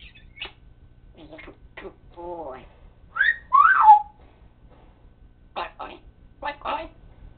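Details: A parrot talking with very clear speech: several short voiced, word-like syllables, then a loud whistled, sweeping phrase near the middle, followed by more brief speech-like bursts.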